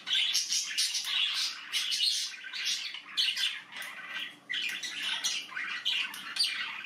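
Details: Young budgerigars in the nest give a dense chorus of harsh, buzzy chirps in quick bursts, close to two a second and irregular, with a soft low hum underneath.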